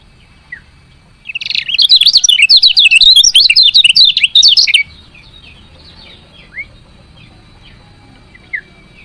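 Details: Female lemon-bellied white-eye chirping to stimulate lazy males to sing: about three and a half seconds of rapid, high, jumbled chirps in a dense burst, then near quiet with a few faint scattered chirps.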